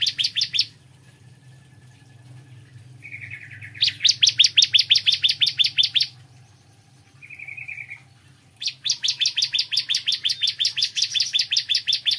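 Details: Bar-winged prinia singing in the morning, long runs of rapid, ringing repeated notes lasting over two seconds each, broken by brief soft buzzy phrases and pauses; a constant low hum underneath.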